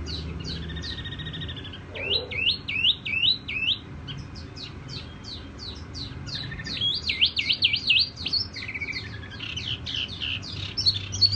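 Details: Tiểu mi songbird in gentle, ringing song: quick high chips, runs of looping whistled notes repeated several times, a brief lower trill, and continuing bright chirps through the passage over faint low background noise.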